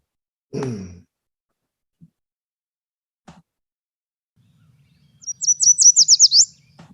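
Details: Yellow warbler (Setophaga petechia) song, described as "sweet sweet sweet, I'm so sweet": a quick run of about seven bright, high sweet notes speeding into a slurred ending, after a brief human voice.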